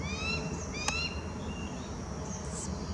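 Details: One of a bald eagle pair, both parents perched on a bare branch on July 9, being harassed by red-winged blackbirds, gives thin high whistled notes clustered in the first second, over a low rumble and one sharp click.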